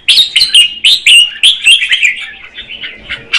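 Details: Female red-whiskered bulbul singing to stimulate the male: a quick run of bright, slurred whistled notes, about four a second, sliding and warbling, fading toward the end before a final sharp note.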